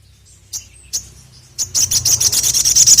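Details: Lure song of a sogon (sogok ontong) bird: two or three isolated high ticks, then a fast, dense, shrill trill of very high notes that continues to the end.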